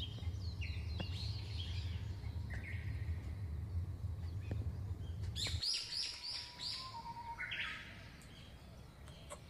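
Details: Australian magpie from a family of one male and two females raising chicks, giving a warbling run of varied whistled and gurgling notes that ends with a clearer phrase after a low background hum stops.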